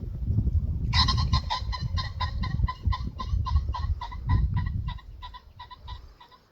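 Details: A shy common pheasant flushed from thick undergrowth bursts into a harsh, rapid alarm cackle, three or four ringing notes a second, fading after five seconds, over loud wingbeats as it flies off to startle a predator or person.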